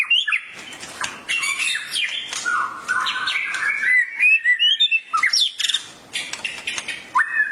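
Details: Murai, the white-rumped shama, stirred into emotional full song ('gacor') by a masteran recording; a continuous jumble of fluty whistles, warbles and rapid chirps, rising and falling, with brief breaks and some clipped sharp notes.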